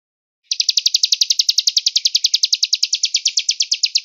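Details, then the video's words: Velvet-fronted nuthatch, distant, giving a fast, even run of sharp, high chipping notes, about eight or nine each second, with no other sounds. "Pelatuk beras Cigun Gereja Jeda Suara Jauh"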